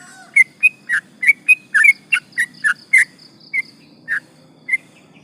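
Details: Yellow-vented bulbul in active song used as a lure for rivals: a long string of chattering, bubbly whistled notes, dense at first then thinning to spaced single notes, over soft low hum.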